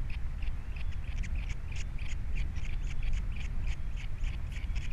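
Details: Male osprey on a Captiva nest holding three chicks, February 2022, after his mate has left; rapid run of shrill chirps, roughly four to five a second, against heavy wind noise.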